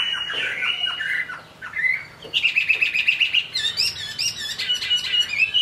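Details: ['Chinese hwamei singing in the rain, mixing varied warbled phrases with a slurred whistle, then a fast stuttering run of rapid notes and higher chattering trills.']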